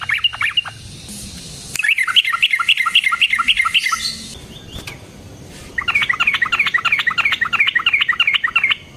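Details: Yellow-vented bulbul in full fighting song, a long rolling bout played as a lure to draw other bulbuls into answering: two dense bursts of rapid, chattering notes, the second after a pause of under two seconds.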